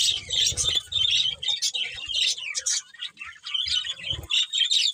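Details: Budgerigars chirping: bursts of high twittering and squeaky warbles separated by short pauses, with some low thumping and rustling beneath the chatter.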